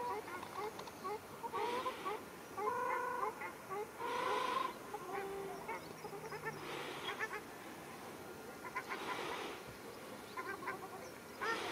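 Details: Ruddy shelducks in a fight at Arucas, Gran Canaria, 13 February 2021, give nasal, goose-like honks in pairs and short runs, separated by bursts of broadband noise.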